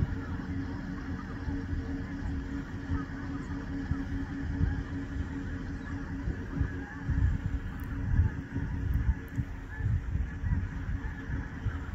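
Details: A steady, engine-like low rumble fills the recording, with no clear animal calls above it.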